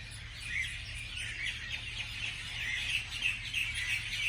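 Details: Birds chirping in the morning, with one caller repeating a clear, short whistled chirp roughly every third of a second over softer twittering and a low hum.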